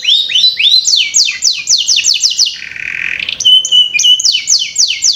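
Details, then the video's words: Canary song played as a lure to get young canaries singing quickly: fast series of downward-sweeping whistled notes, a brief buzzy rattle, then steady whistled tones and more swept trills. "Pancingan Kenari Paud Cepat Bunyi"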